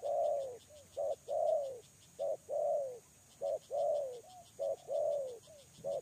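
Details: Decoy spotted dove cooing at close range: long, broad, falling coos alternating with short clipped notes in a regular pattern, with a soft high pulsing insect drone in the background.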